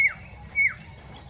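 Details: Collared palm-thrush, a ringed bird, singing near Mida Creek: two clear whistled notes, each held briefly then sliding steeply downward, about half a second apart, over a quiet background.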